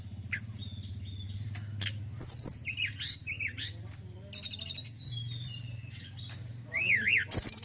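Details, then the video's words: Male forktail known for fine song: scattered high chirps and zigzag whistles, short bright rattles and quick twittering notes at irregular intervals over a soft low hum. "TLEDEKAN GUNUNG JANTAN YANG BAGUS KICAUANNYA"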